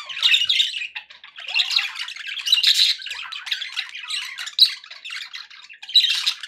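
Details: Happy budgerigars in a home setting, giving a jumble of squeaky chirps and grating warbled phrases in uneven bursts with brief dips between them.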